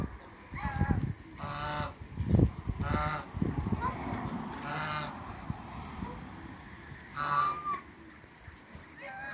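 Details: Toulouse and African geese kept in a backyard, parents of a new hybrid, give loud nasal honks in a series of about six bursts, some overlapping, with low rumbling background noise.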